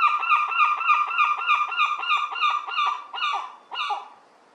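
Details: Juvenile herring gull siblings, newly fledged and playing in a garden, give a rapid run of squealing, nasal calls, about three a second, ending in a few slower, drawn-out notes.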